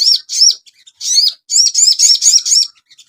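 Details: Crimson sunbird singing a clear, continuous series of high twittering phrases, each a quick descending slur, packed closely together; meant as a master track for cage birds.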